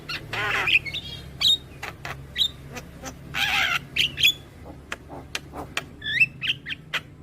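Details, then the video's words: Young Javan myna, recorded as tutor song for young birds, alternates broad harsh hissing squawks with short pinging whistles and scattered dry clicks. "Masteran Burung JAlak Kebo Muda Agar Cepat GAcor Manggut Manggut Rutin Putarkan Tiap Hari"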